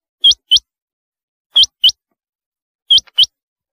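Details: Rain quail (chinga batair): three evenly spaced pairs of loud, high, upward-hooked whistles, each pair about a quarter second apart, in otherwise quiet surroundings.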